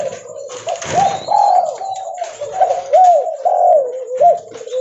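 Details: Spotted dove (derkuku leopard) calling loudly and vigorously while walking: mellow, overlapping coos with rising-then-falling notes, run together almost continuously, with a faint hiss in the background.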